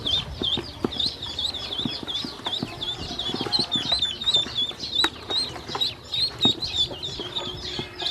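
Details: A flock of hungry baby domestic ducks peeping while being fed and watered, with shrill, short, slightly rising peeps tumbling over one another about three per second, plus scattered clicks of pecking at feed.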